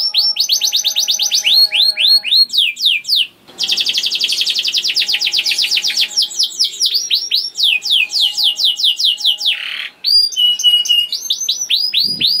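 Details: Young canary song used as a singing lure for other canaries: repeated whistled slurred notes, long buzzy trills, a downward sweep and renewed chirping, with a faint low hum beneath.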